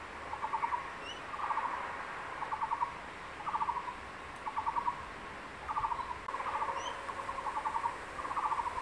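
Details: Crested goshawk, male, calling his mate from a higher perch to come eat the lizard: long run of quick rattling bursts repeated about every second, slightly uneven, with sparse high chirps of other birds in a forest setting.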